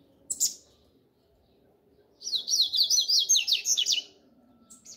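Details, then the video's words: Double-collared seedeater singing its 'grego' style song: one short sharp chip, then a fast two-second run of about a dozen high, buzzy, slurred notes that dip and rise, over a faint low hum. "CADA COLEIRO TEM SUA MEXIDA Essa é a do grego"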